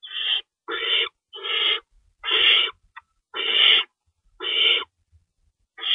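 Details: Owls at the nest during feeding time at 3:53 AM on March 25, 2012, rabbits stored nearby. Harsh hissing screeches come in an irregular series of about seven, varying in length, with faint scrapes between.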